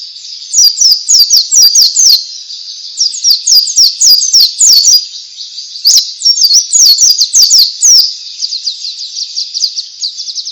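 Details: Ngalas song of a pleci, or white-eye, used to get other white-eyes singing: bursts of quick, downslurred high chirps, about three or four a second, in runs with brief pauses, ending in a softer, finer trill.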